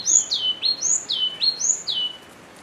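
A yellow-cheeked tit gives three quick paired notes, a high downslurred whistle then a lower one, repeated about every half second in a clear, quiet setting.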